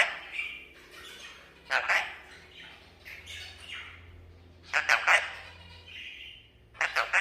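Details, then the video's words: Pet red-breasted parakeet that talks and greets guests; short squawky bursts and raspy speech-like phrases in between quiet pauses, with a person speaking Vietnamese nearby. "Vẹt Ngực Hồng biết nói"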